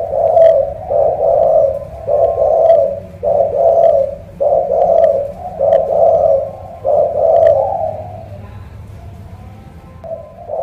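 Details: Spotted dove from Cà Mau, a coo style called thổ cọp, with a big deep voice likened to a pigeon: low, mellow coos in a steady phrase, about eight notes, each around half a second, with faint background hum.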